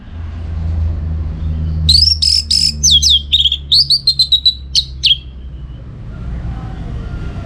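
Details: Orange-headed thrush (anis merah), Bali, played to train contest birds: a three-second burst of varied whistles and slurred notes, ending in short rapid repeated chips, with a faint low hum before and after.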